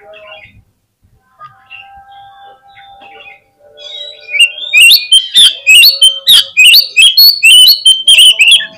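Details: Lure song of an Oriental magpie-robin, meant to prompt quick replies and tail-spreading. Quiet scattered notes and a faint steady tone first, then a loud run of rich, rapid whistles and sharp chirps.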